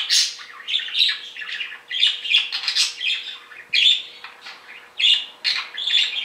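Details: Caged male budgerigars kept as pets, noisy while separated from each other: rapid, scratchy chattering chirps and squawks in uneven bursts, with a faint constant hum beneath.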